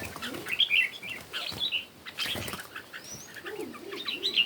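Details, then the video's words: Red-whiskered bulbul in morning competition singing: short warbled, chirpy phrases in bursts, mixed with sharp clicks and rustling thumps and a low buzzing murmur underneath. "Chim Chào Mào Hót Đấu Buổi Sáng"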